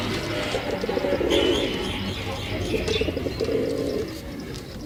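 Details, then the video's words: A male pigeon gives low, throaty, rolling coos in quick repeated bursts, with faint higher chirps from other birds in the background. "Pigeon sound Effect || Male pigeon super Performance"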